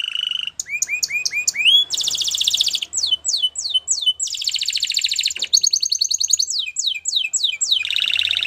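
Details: Canary song moving between tours: rising whistled slurs, a harsh broad buzz, rapid down-swept notes, pulsed rolls and a final buzzy burst, with a faint low hum underneath.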